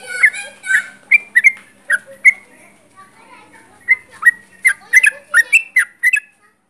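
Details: Sooty-headed bulbul singing actively at close range: a lively, continuous series of bright whistled and chirpy notes, some doubled, with a brief lull midway before a denser run.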